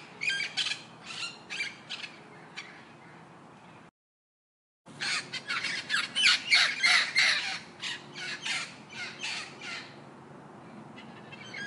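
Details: Parrots squawking in harsh, broadband bursts, several in quick succession, then a brief silent gap before a louder run of rapid screeching calls, easing toward the end.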